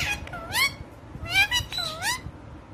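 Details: Talking female Indian ringneck parakeet: three clear, strongly tonal voiced words, each sliding down and curving back up, spaced about half a second apart.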